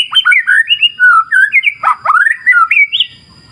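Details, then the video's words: Rich rapid shama warbling of slurred whistled notes, rising and falling in quick succession, played as a lure to prompt birds to sing. "Pancingan Suara Murai Batu Mantab Ampuh"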